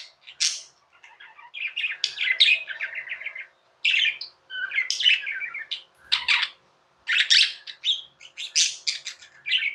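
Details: Indoor pet budgies chattering in a long warbled run of scratchy chirps, clicks and squeaky notes, broken by short silences, with a faint low hum behind.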